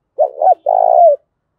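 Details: A single fight-provoking coo phrase of a spotted dove in thổ pha style, used to make a decoy call quickly: two short hoarse notes, a brief gap, then one long coo sinking at the end.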